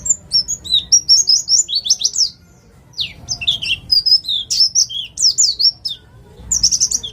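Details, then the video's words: White-eye of the East Java ngalas kind, kept as a lure to start other birds singing: bright, high chirped phrases in fast clusters, one break of silence, then a renewed burst. "Pleci jatim ngalas cocok untuk pancingan bunyi"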